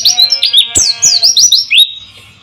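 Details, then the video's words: White-eye singing to coax mute birds into song, with flowing water in the background: a quick string of shrill falling notes, then an upslurred note before the song fades. "pancingan burung pleci"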